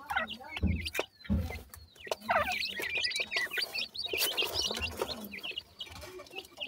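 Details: Feeding partridge chicks give dense, overlapping high chirps and trills with sharp pecking clicks. Low thumps are heard early on.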